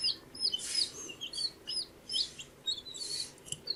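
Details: Baby chicks, 14 days old, give shrill, high-pitched peeps, mostly bending downward, in small bursts about every half second. Airy rustling or scratching noise comes between the calls.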